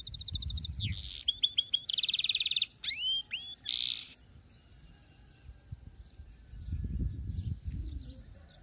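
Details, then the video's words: Song of a canary, offered as a lesson for young canaries learning to sing: quick repeated chirps, a rattling trill, curling downslurred whistles and a short buzzy note over four seconds, followed by faint low rumbling background noise. "كناري مرعب غناء تحفيز غير طبيعي"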